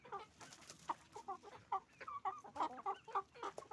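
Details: Noisy chickens, roosters and hens on a farm, close, loud clucks and nasal cackling notes repeated several times a second.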